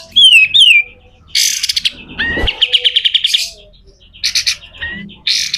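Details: Pied triller (kapas tembak) in coarse besetan song: two sweeping falling whistles, loud rasping bursts, a series of quick repeated notes, and further harsh buzzes.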